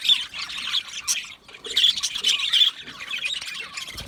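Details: Budgerigars giving raspy, buzzy squawks and chirps in two main bursts separated by a short lull, with a few clear whistled notes standing out.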